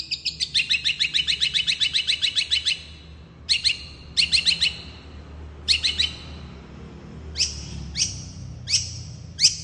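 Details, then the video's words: Long-tailed shrike in fast, tightly packed song meant to provoke other shrikes into answering: a long rapid run of high chattering notes, then short bursts of sharp notes separated by pauses. "Cendet gacor speed rapat ampuh untuk memancing cendet lain langsung nyaut"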